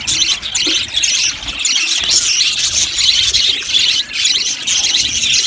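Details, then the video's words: Aviary budgerigars chirping together, a thick high twittering chorus that briefly dips in loudness twice before swelling again. "Amazing Budgies chirping sounds | Budgies parakeets sounds"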